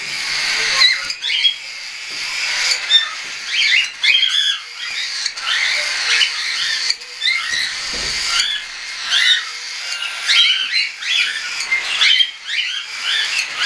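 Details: Group of young hand-tame cockatiels, partly weaned, flying, recorded 10 September 2012: dense, continuous chatter of short rising and falling chirps overlapping from several birds, with a low thump midway.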